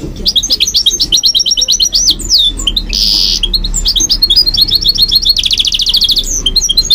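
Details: Night song of a caged goldfinch mule: strings of rapid chirps and upward-sliding whistles, a short harsh buzz near the middle, then a long fast trill and more twittering.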